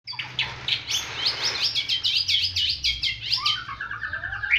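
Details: White-rumped shama singing in a fighting style likened to the bar-winged prinia: a fast run of buzzy, rising-and-falling notes, then a lower rapid trill, over faint low hum.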